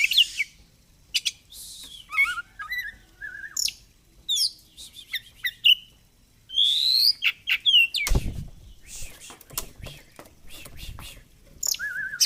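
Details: Oriental magpie-robin, caged fighter bird, delivering a varied song of high whistles, upslurred notes and short chirps with pauses, a brief broadband thump midway.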